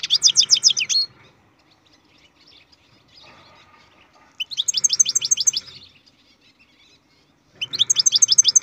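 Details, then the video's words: Song of a captive-bred European goldfinch, delivered in short bursts of quick, high repeated notes about a second long, with roughly three-second silent gaps between phrases. "Goldfinch carduelis singing"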